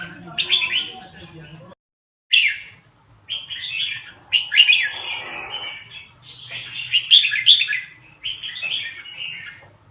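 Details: Red-whiskered bulbul from Laos, sung rapidly: clusters of lively slurred whistles and chirps in repeated phrases separated by short pauses, with a faint low hum beneath.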